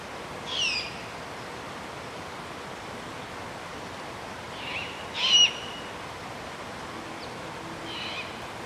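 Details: Great horned owlet siblings, nestlings to fledglings, in a hilltop grove on Strawberry Island above Stow Lake, Golden Gate Park, San Francisco, spring to summer evenings at dusk; four short harsh hissing screeches, scattered over nine seconds, above steady background noise.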